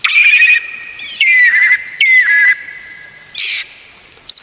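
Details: White-rumped shama song used as a training recording to get other shamas singing: loud bursts of sustained whistled notes with buzzy, harsh overtones, separated by short pauses, ending with brief sharp chips.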